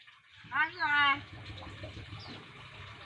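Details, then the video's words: A young, talkative Nias hill myna from North Sumatra, Indonesia, learning to speak gives one short, nasal, harmonic speech-like phrase over a quiet indoor background hum. "Beo nias cerewet banget"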